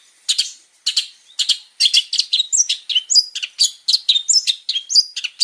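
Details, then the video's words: ['Energetic male long-tailed shrike song with many variations, played to get other birds singing; scratchy chips build into a rapid jumble of high whistles, squeaks and slurred notes.'] "PANCINGAN BURUNG CENDET GACOR BANYAK VARIASI"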